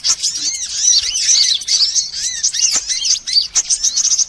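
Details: Sunbirds of many kinds, played as a lure sound to attract birds: dense, high, overlapping chirps and twitters with short arched notes repeating about twice a second, plus a few sharp clicks.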